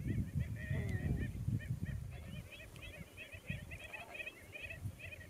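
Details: Andean flamingos in the Atacama Desert, many birds calling together: short nasal honking notes repeated rapidly and overlapping in a steady chatter, over low rumbling wind noise.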